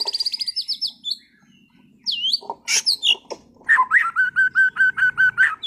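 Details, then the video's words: White-rumped shama, caged competition bird from Sragen: a fast high trill, sharp swooping whistles and crisp notes, then a steady string of about a dozen clear whistled notes over a low background hum. "MURAI BATU TEMBAKAN ISTIMEWAH gacor bongkar materi kelas lomba"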